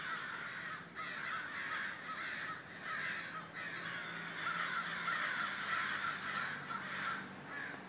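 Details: Many crows in a flock cawing at once, rough, grating caws overlapping in a busy chorus with short pauses and a few louder bursts.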